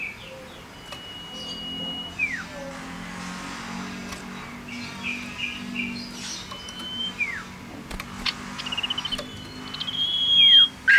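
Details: Male common iora (sirtu, cipoh), tame and singing actively: drawn-out level whistles that sag downward at the end, repeated several times over soft background hum and a brief rattling trill.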